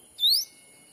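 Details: A single bright whistled note from a black-capped bulbul lure call, used to attract wild birds in a Sumatran forest. The note is short, rising steeply and sweetly, set against a quiet background hiss.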